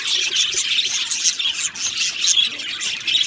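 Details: Budgie parakeets chirping in an aviary colony: busy high-pitched chatter of buzzy chirps and short squawks from several birds, rising and falling in loudness.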